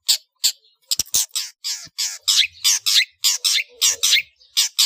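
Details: Long-tailed shrike, ngeplong full isian master recording for cage birds: a fast string of harsh scratchy notes, two sharp clicks early on, then rasping notes delivered almost continuously.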